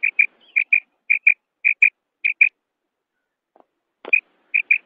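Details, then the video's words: Female common quail (madi batair) used as a morning and night hunting lure gives short, high, slightly rasping notes in quick pairs, about one pair every half second, then pauses before two more pairs, in a quiet background. "Female common quail sound Madi batair ki krik"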